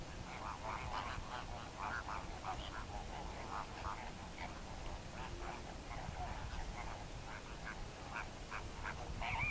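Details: Greater flamingos calling as a flock, a dense chorus of short, nasal, goose-like honks that overlap continuously and come several per second, with steady low background rumble.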